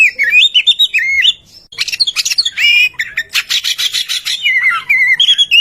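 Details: Oriental magpie-robin singing as a lure for other birds, opening with looping melodious whistles, then a short pause, followed by buzzy rattling bursts and ending with clear whistled phrases.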